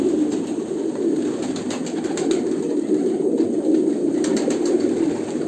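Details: Continuous cooing from many Kolkata pigeons, low and bubbling, with repeated light clicks and knocks from movement.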